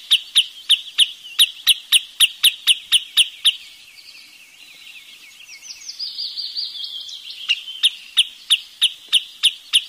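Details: Wood sandpiper giving a fast run of sharp, high clipped notes, about a dozen in three and a half seconds, then a stretch of soft twittering before the sharp notes return.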